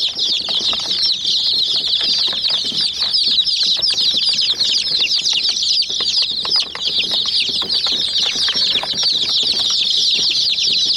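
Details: Hen chicks pecking at a white miniature toy jeep, a flock giving dense, nonstop high peeping chirps that overlap throughout, with sharp tapping clicks from pecking mixed in.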